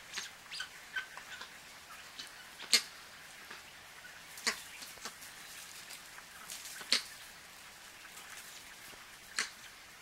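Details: A flock of Crested guineafowl feeding at a forest edge at Schoemansdal, Limpopo Province, South Africa, on 8 July 2016 gives scattered harsh, clicking chuck notes, a louder one every few seconds, over a quiet background.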